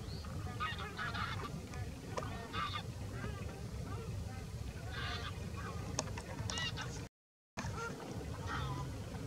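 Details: A large flock of greylag geese, among thousands of demoiselle cranes, at Didwana, Nagaur, Rajasthan, India, honking in a dense overlapping chorus of nasal calls with other birds over a steady low wind rumble.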